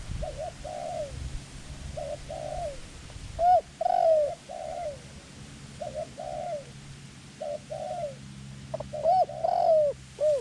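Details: Decoy dove calling to lure wild doves during Thai dove trapping. Softer falling coo phrases repeat regularly, broken by loud, bright, ringing arched coos in the middle and at the end.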